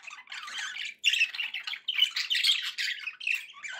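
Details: Continuous noisy chatter from happy budgies, harsh squawky warbles with high squeaky accents, briefly dropping off before resuming louder.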